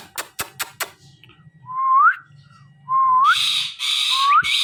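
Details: Talking parrot that mimics words: a few sharp clicks, then three clear whistled notes, each sliding upward, with raspy squawk bursts breaking in between; soft background hum.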